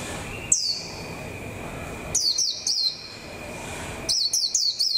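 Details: Caged lure white-eye in 2021, starting to gain fire for the season; one thin high downslurred note, then two short bursts of rapid, sharply falling high whistles, with a steady faint background hum.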